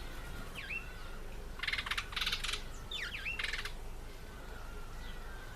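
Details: Apple-eating African green pigeon, Treron calvus: short whistled downslurs framing three close bursts of rapid crackling pulses, followed by quieter rumble.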